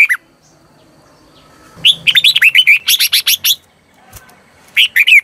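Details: Decoy red-whiskered bulbul singing to lure wild birds, a long energetic string of sharp whistled and chirping notes lasting almost two seconds, then a shorter phrase after a pause.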